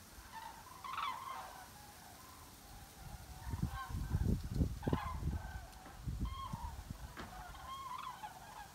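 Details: Migrating flock of common cranes circling over Altfriedland, a European bird protection area, giving loud rolling honking calls with rich overtones, several birds calling in irregular bursts, with heavy low thumping wind buffets in the middle.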